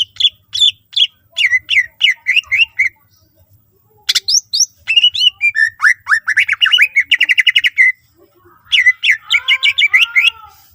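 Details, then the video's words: Greater green leafbird song used to make other leafbirds sing: a rapid series of repeated chirped notes, harsh bursts, a fast rattling trill and rolling whistled phrases, separated by brief silences, with a faint low hum. "cucak ijo gacor full isian mewah sangat ampuh pancing c ijo lain agar ikutan rajin bunyi"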